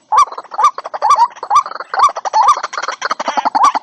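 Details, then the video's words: White-breasted waterhen lure for bird traps: rhythmic hoarse croaks with a quick upward flick, about two per second, backed by a rough, buzzy chatter of overlapping notes in the second half. "Tiếng quốc mồi của các tiền bối hợp lại để có cái âm thanh bẫy quốc"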